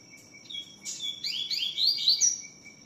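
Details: Double-collared seedeater singing its tui tiu style song: a rapid run of rising, slurred, buzzy whistled notes climbing high, over a steady high insect-like tone and a pulsing lower trill.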